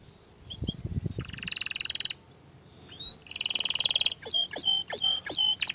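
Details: Orange frost canary singing: a low rattling burst, then buzzy trilled phrases near the upper register, ending in a series of sharp repeated downslurred whistled notes about five per second.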